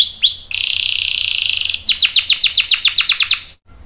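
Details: Canary 'gacor' song with a 'ngerol' roll, meant to get other canaries singing: two upward whistled slurs, a long even buzzing roll, then a rhythmic series of falling chirps before a short pause.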